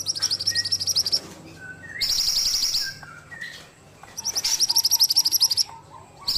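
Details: Vigorous song of an ashy tailorbird (mantenan): series of quick, sharp, high notes alternating with buzzier, denser high trills. Quieter lower whistled phrases from other birds can be heard between the bursts.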